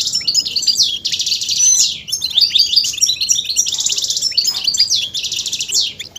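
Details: Male European goldfinch stimulated into singing: loud harsh buzzy rattles alternate with quick liquid twitters and slurred falling whistles in a busy, energetic flow.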